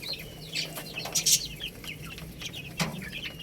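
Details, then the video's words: Young chickens eating rice, giving scattered high peeping chirps, some falling in pitch, with a faint steady low hum underneath. "Beautiful Little Chicks Chirping Sounds"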